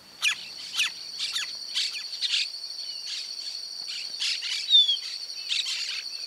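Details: Sharp, bright chips from a greyish saltator (Saltator coerulescens) in Esperanza, Santa Fe, Argentina, given about twice a second over a steady, high insect drone.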